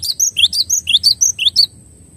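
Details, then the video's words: Cinereous tit (glatik batu) sings a crisp run of bright chirps, alternating a higher and a lower note in rapid succession for about a second and a half before stopping. "MASTERAN JERNIH GLATIK BATU HANDAL"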